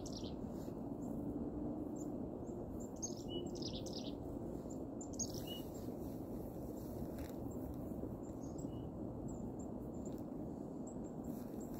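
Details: Several chickadees chirp from nearby bushes in a park in winter as birds gather to be fed seeds along a hiking trail. Short high chirps come in scattered bursts over low rumbling background noise, with a person speaking softly nearby.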